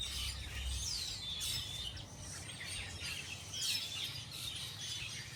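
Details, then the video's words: Birds chirping as they come to feed on small fruits in a tree: thin, high, sweeping chirps and short whistled notes overlap in a busy chorus, with steady low background noise. "the sound of birds chirping"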